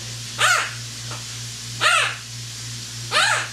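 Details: Pet parrot mimicking household sounds, producing three arched, harmonic meow- or bark-like calls spaced about 1.4 seconds apart, with a faint short note between the first two and a constant low room hum.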